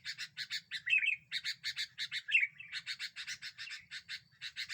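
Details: Sooty-headed bulbul singing as a lure, said to provoke other birds: steady harsh chattering notes with two short bright slurred whistles, continuing evenly throughout, faint low hum underneath.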